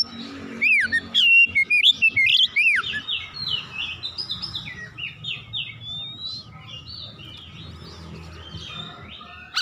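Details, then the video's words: Oriental magpie-robin in heated full-repertoire song: loud arched whistles and buzzy notes at first, then a long run of softer rapid twittering and mimicry-like phrases fading away. "KACER GACOR MEMANAS NAIK EMOSI BONGKAR ISIAN"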